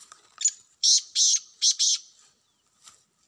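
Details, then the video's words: Black francolin calling in the wild, a few soft chips leading into four loud rasping notes grouped in twos, then a faint echoing note near the end. "جنگلی کالے تیتروں کی آوازیں"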